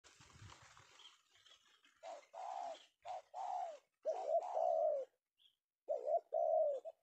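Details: Male spotted dove (tekukur) of the prized penguku type, captured in the afternoon, Indonesia: low mellow coos in short bursts, then a longer rolling coo and a final two-part phrase, after brief rustling at the start.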